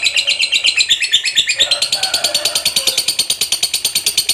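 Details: Lovebird kept as a contest fighter bird, giving a long ngekek chattering song: rapid, steady pulses of harsh high chatter repeated about three times a second throughout, with a brief lower note near the middle.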